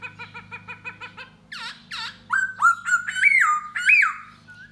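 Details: Luring a female with song and dance, a Da Bò laughingthrush moves from quick soft repeated notes to harsh arched calls and loud rising and stepping whistled phrases, with a low hum behind.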